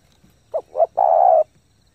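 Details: Spotted dove used as a lure bird, cooing rapidly to stimulate decoy training: two brief low coo notes followed by one long steady hollow coo, clean and loud.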